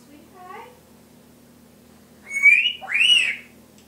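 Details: Pet Timneh African grey parrot imitating household noises: a soft low rising note, a pause, then two loud whistled slurs, the second swooping up and down.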